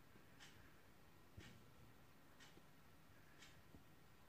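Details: Female great spotted woodpecker, visiting in the evening, gives four sharp, high 'kix' notes, one each second, over a low background rumble.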